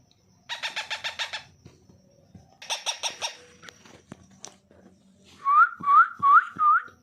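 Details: Fifteen-day-old baby parrot with its natural voice: two bursts of rapid harsh buzzy pulses, six or seven in each, then four loud rising whistled squeaks in quick succession, with faint background hum.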